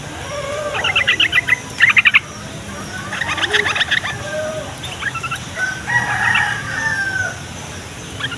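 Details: Yellow-vented bulbul song meant to make other bulbuls, males and females, reply and sing. Repeated lively bubbling phrases of fast chirps come in several bursts, loudest near the start, with lower drawn calls later.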